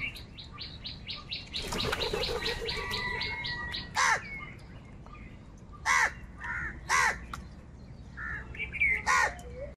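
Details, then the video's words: Crows fighting wild birds for food: harsh, broadband caws ring out singly at roughly one- to two-second gaps, after an opening run of quick, evenly spaced high chirps from another bird, with faint background chatter. "Crow bird live crowing sound - কাকের ডাক"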